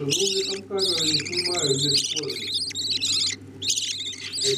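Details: Feeding of budgerigar chicks by the parents: shrill rasping squeals in bursts, a rapid low rattling pulse near the start, then further harsh chirp groups with short gaps.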